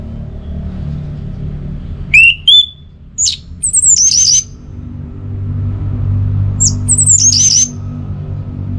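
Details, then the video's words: Orange-headed thrush (anis merah) song from northern Bali, used as pacingan sound to spur birds to sing: a rising whistle, then sharp high slurred notes in two bursts, over low rumbling background noise. "Memacu Burung ANIS MERAH dengan Suara Pacingan Agar Selalu Berkicau Pagi Siang Malam TIdur"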